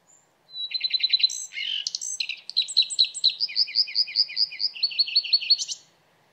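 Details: Common redstart singing a rapid, varied phrase: a brief high note, then a fast run of repeated chirps, a scratchy burst, and a long series of bright twittering notes that ends on a high upswept flourish.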